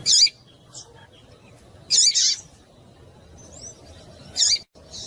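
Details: Female Coleiro in breeding condition calling to stimulate males: short, bright, noisy chip bursts, high-pitched and spaced about two seconds apart, with a quieter faint chirp in between and a low background hum.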